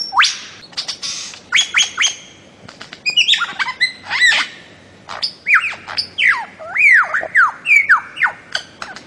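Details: Bird-of-paradise calling with short sharp clicks and chips, then a series of looping slurred whistles that rise and fall, repeated several times.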